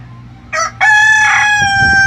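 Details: Kukuak Balenggek chicken, a breed valued for its melodious tiered crow: a short opening note followed by a steady, sustained harmonic crow that runs to the end, with low rumbling underneath.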